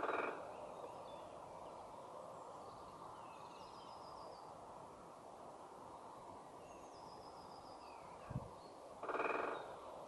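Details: Great spotted woodpecker drumming on a tree in UEA woods, a fast half-second rattle of knocks near the end and the tail of another at the start, with faint high chirps from other birds over steady background hiss.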